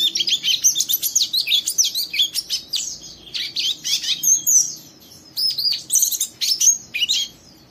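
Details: Young oriental white-eye in a cage, chattering roughly to provoke a second white-eye into ngeriwik song; fast sequences of piercing high chirps and slurs, a pause after the fifth second, then renewed bursts.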